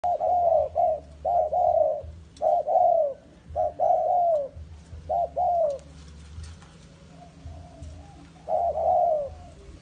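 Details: A spotted dove, used as a decoy bird in the forest, gives soft, low hooting coos in short two- and three-note phrases, repeated with brief pauses; a faint low hum sits underneath.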